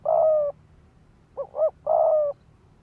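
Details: Cooing of a decoy spotted dove, the 'thúc gù' style said to rouse males to fight: a long drawn coo, a pause, two short quick coos, then another long coo.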